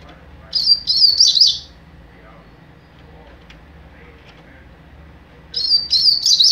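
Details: Young double-collared seedeater singing in mateiro style: two bursts of high, warbled notes, the first lasting about a second, the second starting near the end, with quiet gaps between.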